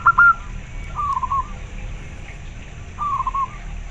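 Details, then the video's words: Local zebra dove (perkutut) song: one loud pair of clipped notes, then two softer, rolling, trilled coo phrases separated by a quiet gap. "Suara perkutut lokal sangat jernih"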